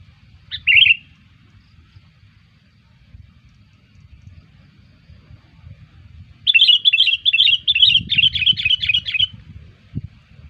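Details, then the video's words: Sooty-headed bulbul lure sound for attracting bulbuls: one bubbly phrase, a pause, then a fast run of about ten chattering, repeated notes lasting nearly three seconds, over low background noise. "SUARA PIKAT KUTILANG"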